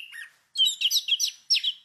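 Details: Orange-headed thrush, a small songbird of Southeast Asian forests whose male and female look alike, singing a quick run of bright, high, varied whistled and trilled phrases, each under half a second, with no other sounds.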